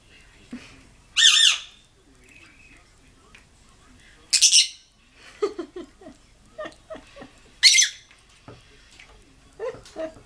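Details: Pet lovebird, seriously upset at something, shrieking in three short, harsh, high squawks spaced about three seconds apart. Quiet human talk and clicks sound in between.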